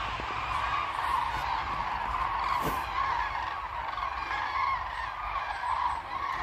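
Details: Common cranes in a large group on meadows by the Baltic lagoon near Ribnitz, Germany, far away: a steady wash of massed trumpeting calls with a brief faint click partway through.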